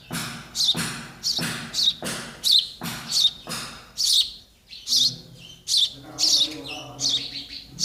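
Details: Nestling sparrows waiting for food chirp quickly and insistently, high bright notes several per second, with a faint low hum later.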